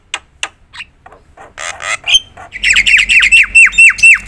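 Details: Javan myna singing loudly with varied fill-ins, meant as a lure for silent mynas: sparse soft ticks, a rough grating burst, then about ten quick descending whistled notes in a rhythmic run.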